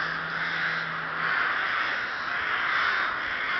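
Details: Rooks cawing together at Ptačí ostrovy in Chrudim, Pardubice Region, Czech Republic, 30 May 2011, a steady wall of rough, nasal caws, with a faint low steady hum during the first second and a half.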